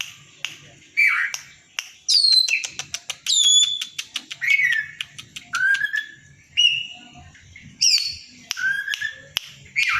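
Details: Loud, ever-active Oriental magpie-robin fanning its tail to provoke a rival, fed on banana-leaf caterpillars. Rapid sharp clicks and ticks alternate with sweet, falling whistled notes, about fifty phrases a minute, over faint low background noise.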